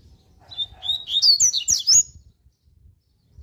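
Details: Coleiro (double-collared seedeater) delivering a loud, quick 'tui tui' warm-up song. Two thin whistled lead-in notes build into a dense run of high, twisting chirps, then stop abruptly. Low rumbling background noise throughout.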